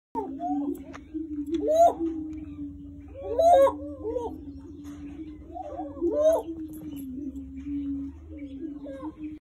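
A male greater prairie chicken gives a low, steady hooting drone, broken about every two seconds by louder rising whoops and cackling notes.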